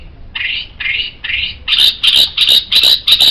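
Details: White-rumped shama song for training songbirds: three rasping buzzy notes followed by a steady series of harsher, higher buzzes repeated roughly three times per second.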